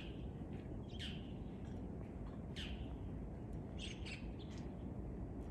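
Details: Two white-cheeked starlings recorded on 17 February 2023, giving a few short, high, rasping chirps spaced about a second apart over a steady low rumble of background noise.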